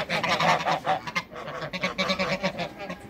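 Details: Backyard Toulouse geese, two ganders and a female among waterbirds, giving quick rasping honks in a steady run of short nasal blasts, several birds overlapping.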